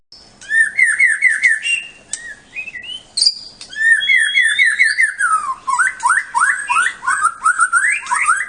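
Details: Competition white-rumped shama from Bahorok: series of rising whistled notes repeated in rapid runs, interspersed with higher sliding whistles and brief harsh notes, fairly continuous throughout.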